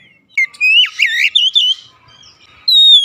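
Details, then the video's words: Oriental magpie-robin, a kept songbird, giving a short warbled phrase of rising and falling whistles, followed after a pause by a single clear descending whistle. "terapi Kacer malas bunyi sudah pasti langsung gacor"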